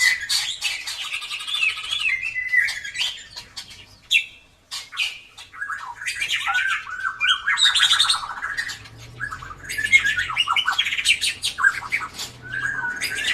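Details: Captive White-rumped shama of the drooping-tail type, singing in full voice as a lure to prompt quiet birds to sing; loud, varied bursts of chattering and whistled notes with harsh squawky passages and brief gaps, slight room echo.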